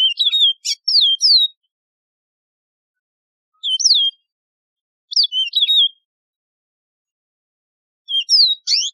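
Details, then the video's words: Yellow-fronted canary (Mozambique serin, a wild canary) sings short, bright phrases of sweeping, warbled whistles, one burst every one to three seconds, over a clean, quiet background. "تغريد البسبوس الموزمبيقي"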